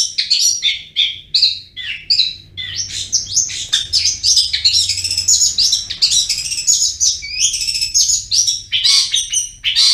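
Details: Long-tailed shrike (cendet) delivering continuous ngriwik chatter. Busy, tangled stream of shrill, squeaky and buzzy notes lasting ten seconds with barely a pause, ending in short clipped chips. Low hum underneath.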